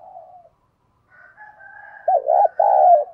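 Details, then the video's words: Decoy spotted dove calling to provoke wild doves: a soft falling coo, a brief pause, a faint higher whistled tone, then two loud low coos, the first wavering. "Tiếng Chim Cu Mồi Thúc Và Gáy Gọi Căng Lửa Chuẩn Kích Bổi"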